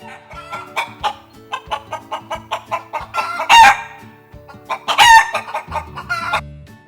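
A hen clucks in a steady run of short, throaty notes, broken twice by louder drawn-out squawks.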